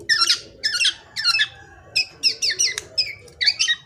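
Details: Juvenile black-naped oriole with a varied repertoire, used as a lure, giving repeated harsh scratchy squawking notes in quick pairs and threes, about eight bursts over four seconds, over a faint low background hum.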